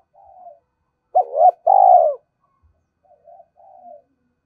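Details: Decoy spotted dove calling: a soft low coo, then a quick hoot and a long pulsed falling coo, followed by faint quiet cooing notes.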